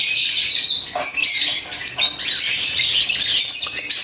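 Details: Nonstop high, harsh chirping and squeaking from African lovebirds amid toy play, with quick rising whistled notes woven through.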